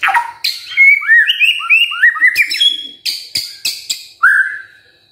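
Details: White-rumped shama song used in the morning to provoke silent birds into singing: rich whistled phrases rising and falling, interspersed with sharp harsh clicks and rasping notes, ending in a slurred whistle.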